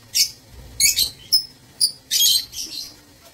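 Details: Aviary lovebirds, recorded 15 April 2024, trade piercing, high chirps and short squeaks, about six sharp bursts over a few seconds.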